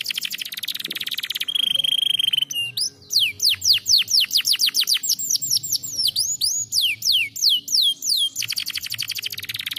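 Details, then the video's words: Canary song meant to stimulate lazy canaries: fast rapid trills, a steady high whistled note, then loud repeated descending whistled sweeps at a quick pace, closing with another fast trill. "estimular muito rapidamente o som de canários preguiçosos cantando"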